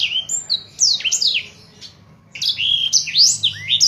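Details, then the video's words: Energetic Blackthroat song used as a tutor for cage birds: quick bursts of sharp, high whistled slurs, broken by a pause of about a second before another lively burst, over a faint low hum. "blackthroat gacor cocok buwat masteran burung"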